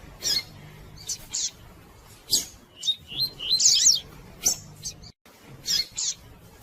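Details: A female Double-collared seedeater calls repeatedly to excite a cold male into singing. Thin, high chirps arrive singly or in pairs, and a squeaky twittering burst comes near the middle, all against faint background hiss.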